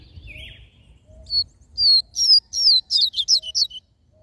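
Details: Rusty-collared seedeater singing in the mateiro style, a song used to stimulate males: a quick run of about ten loud, sharp whistled notes, each slurring up or down, packed into roughly two and a half seconds over a faint low hum.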